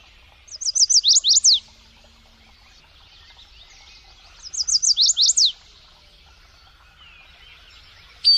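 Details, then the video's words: A songbird delivers two loud phrases of rapid, high, downward-slurred whistles, each roughly a second long and about four seconds apart, with softer scattered chirps between and a brief sharp note at the end. "Birds singing"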